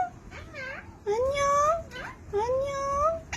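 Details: Pet blue Indian ringneck parakeet, a talking parrot giving a greeting: two drawn-out, wavering, whistled phrases that rise and fall, each about a second long, separated by a short, bent squeaky note, indoors.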